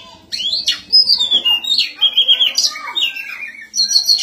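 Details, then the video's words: Oriental magpie-robin (kacer) in the puffed display style called ngobra while fighting: a varied phrase of loud whistled notes, some slurred downward and some rising, broken by brief harsh sounds and faint low background noise. "Gaya burung kacer ngobra saat tarung.."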